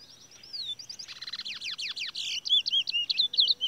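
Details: A caged large-billed seed-finch (towa towa) in a bird song race pours out a fast, high warble of whistled slurs and quick descending notes, ending in looping upslurred phrases, with faint background noise.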